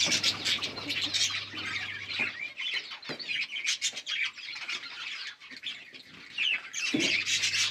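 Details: Lovebirds calling while mating, a dense stream of high, harsh squawks and chirps packed tightly together with brief quieter gaps near two and three seconds.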